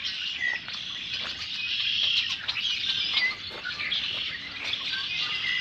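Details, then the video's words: A dense chorus of Red-winged Blackbirds by a flooded lake trail at Marion Tallgrass Trail, Marion County, Ohio, midday on April 9, 2025 in spring: overlapping high chips, whistles and buzzy trills, steady throughout with no pauses. "it is very birdy in this area. What you're hearing primarily are redwinged blackbirds."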